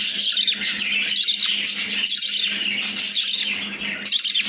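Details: A baby budgie being hand-fed gives rapid, raspy, high-pitched begging cheeps in a continuous insistent stream; Budgerigar.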